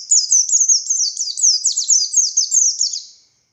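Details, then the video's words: Buxtoni Oriental white-eye in lively ngalas song, kept as a master bird for teaching other white-eyes. Three seconds of continuous, very high, chattering down-slurred notes packed tightly together, fading at the end. "Burung Pleci Buxtoni Gacor Konslet Full Tembakan Ngalas Ngotot Fighter"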